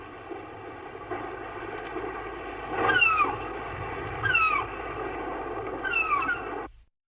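A gull gives three harsh, descending squealing calls about every one and a half seconds over a steady rush of wind or surf.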